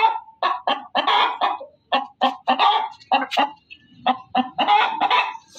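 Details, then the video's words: Hen cackling loudly in quick series: a dense string of harsh, nasal clucks, some grouped in rapid bursts, others spaced about half a second apart, continuing steadily throughout. "SUARA AYAM BERKOKOK KERAS || suara ayam berkokok betina"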